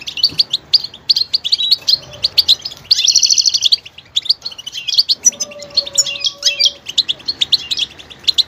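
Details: Goldfinch singing a fast, varied run of twittering chirps and short notes, with a dense buzzy trill near three seconds; a faint low steady tone sounds in the background.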